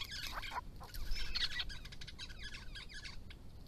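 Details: Grey-crowned babblers, a resident family group on a property in Victoria, calling to each other while drinking and bathing in hot weather: dense overlapping chattering and chirps in a busy burst.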